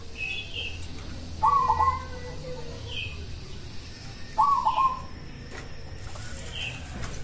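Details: Local zebra dove singing, a sound meant to prompt other doves to respond: two well-spaced phrases of rapid stammering coos about three seconds apart, over a low hum and occasional higher chirps.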